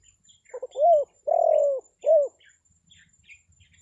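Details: Lure call of a spotted dove for attracting wild birds: two short clipped notes, then an arched coo, a long sustained coo and a final short coo; faint chirps of small birds afterwards.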